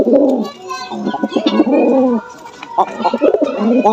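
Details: Jalali pigeons, with a pair mentioned, in Bangladesh: throaty, wavering coos swell and fade in several bursts, partly overlapped by a human voice.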